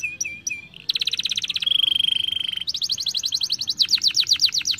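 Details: Canary, a young bird, singing to stimulate others: short whistled notes, then rapid buzzy trills, a long steady rolling trill, and fast repeated chattering phrases with descending sweeps, bright and high-pitched throughout.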